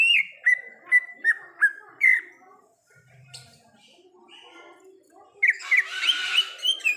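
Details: Greater green leafbird singing in the wild: a run of six short clear whistled notes, evenly spaced about every third of a second, then a pause, followed by a richer burst of chattering and whistled phrases.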